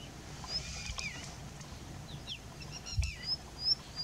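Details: Indian Bushlark calling and singing from a rock at Jayamangali, India, giving thin, high, scattered whistles and short down-slurred notes at an uneven pace over a low rumble of background noise.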